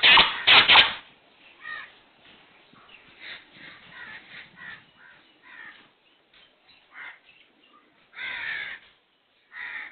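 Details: Black francolin giving loud, harsh, grating bursts in the first second, followed by a long run of fainter rasping notes repeated irregularly, with a louder harsh phrase near the end.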